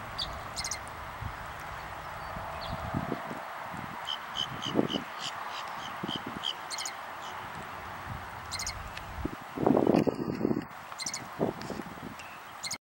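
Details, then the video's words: Loggerhead shrike singing at a southwest Florida eagle nest site on 4-6-13. This bird is known for dive-bombing the eagle. Short, high, clicky-buzzy notes come in rapid clusters, repeated in series, with low thumps and rustling nearby. "Loggerhead Shrike Singing"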